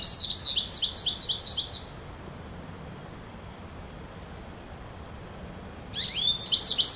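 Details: Goldfinch calling: quick, high, twittering notes in a busy burst lasting almost two seconds, then about four seconds of quiet, then another lively twittering burst near the end; a faint steady background hiss throughout.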